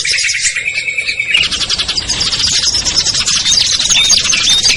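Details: Lure chorus of small birds such as ciblek, kutilang, trucuk, sogon and perenjak, played to bring them down: an opening steady trill gives way to dense, fast chirping and squeaky whistles.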